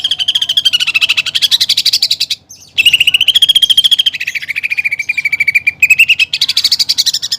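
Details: A greater green leafbird delivers a nearly unbroken, rapid high trill whose pitch wavers up and down, with one short break, in a song filled with fighting-sparrow and woodpecker-style phrases meant for training.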